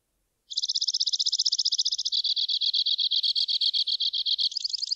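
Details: Two-barred crossbill song opening with a quick high trill, then slowing into evenly spaced, slightly lower buzzy notes for about two and a half seconds, and ending on a faster higher trill.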